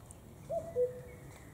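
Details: A single common cuckoo 'cu-coo', a higher short note dropping to a slightly longer lower note, over a quiet natural background.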